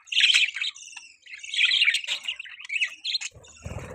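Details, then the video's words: Pet budgerigars chirping: busy warbling chatter of scratchy chirps and squeaks in bursts, then a low thump near the end. "Budgies Chirping sound"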